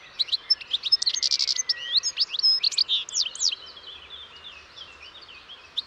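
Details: European goldfinch pouring out a fast, liquid twitter of mixed chirps, slides and trilled notes, loudest in the first three seconds before trailing off into softer, sparser notes.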